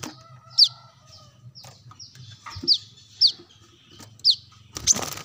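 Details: Brown-throated sunbird calling, used as a lure recording: sharp, high, downward-slurred chips spaced about half a second to a second apart, with faint softer notes, a low hum and a burst of noise at the end.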